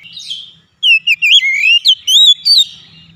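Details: Oriental magpie-robin singing, recorded as a trigger for untrained birds that seldom sing: a short rising note, a pause, then a lively string of rich slurred whistles rolling up and down in quick succession.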